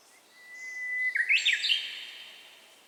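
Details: Handheld-camera recording of a Japanese bush warbler singing outdoors. The song opens with a level whistle held about a second, then breaks into a bright, jumpy warbled ending before fading away.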